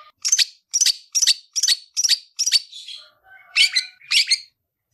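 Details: Shrike called cendet, a champion gacoran bird giving 'tarung ngalas' fighting song for tutoring: six harsh chattering bursts about every half second, then soft low whistled notes before two more grating bursts.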